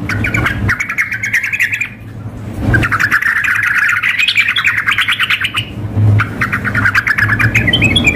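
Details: Female yellow-vented bulbul calling a male, combined with an energetic singing bird in a simulated contest. Rising, chattering, warbled phrases come in three main bursts, separated by brief pauses, over low rumbling hum.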